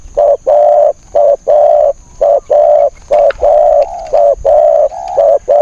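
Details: Spotted dove kept as a decoy in a trap cage to lure wild birds, cooing in a steady series of short, low, hollow notes about one per second, with a faint constant high whine behind.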